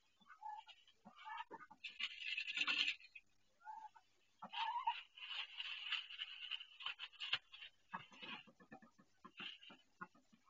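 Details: Duck laying her first egg inside, on her own nest and in pain; hoarse, noisy cries come in strained bursts of a second or two, with short gaps between.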